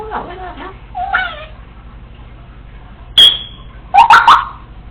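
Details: Pet female Congo African Grey parrot, left alone at home, practicing sounds: soft speech-like mumbling, a sharp high whistle, then a burst of loud clicking chirps.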